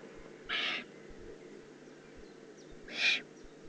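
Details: Juvenile Eurasian eagle-owl, Eifel, Germany, recorded June 2016: two short, harsh, breathy rasps separated by about two and a half seconds of near-silence.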